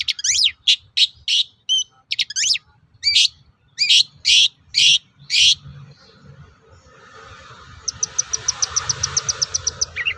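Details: Long-tailed shrike singing to provoke other shrikes into answering: a run of loud, harsh, clipped notes, then a quieter fast ticking trill over a soft hiss near the end.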